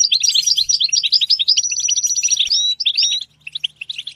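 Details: European goldfinch in full song, for stimulating goldfinches to sing: rapid, bright chattering phrases with rising whistled slurs, running steadily before thinning into scattered chirps near the end.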